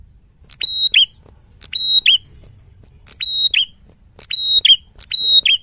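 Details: A Black-throated Bushtit sings a loud, clear fighter-style song: each phrase is a sharp note and then a longer ringing whistle that drops at the end, repeated five times at about one-second intervals.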